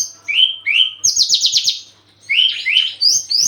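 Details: Javan bush lark in breeding condition: two rising whistled notes, a fast high buzzy trill, a short pause, then more upslurred chirps.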